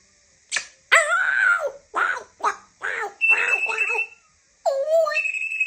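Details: African grey parrot talking: a string of varied, speech-like syllables with rich layered tones. Short bursts are separated by brief pauses, ending in a longer phrase with a falling then rising whistle-like tone.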